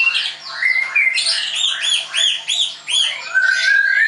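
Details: Captive white-rumped shama (murai batu) at a bird school in Tangerang, Indonesia: a loud series of arched, ringing notes repeated roughly twice per second, framed by rising whistles and ending on a sustained clear whistled phrase.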